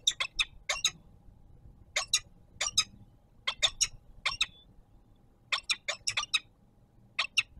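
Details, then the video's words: Peregrine falcon nest in Warsaw at dinner delivery, the young taking food: bursts of short, harsh, scratchy notes in clusters of two to four, irregularly spaced, with a faint constant background drone. "Sokół wędrowny"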